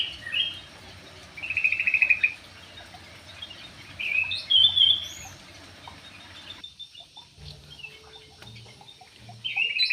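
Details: Song of a Javan pied starling, a bird said to dance well: short grating, trilled phrases and a bright whistled note, separated by quieter gaps. A low hum runs underneath throughout.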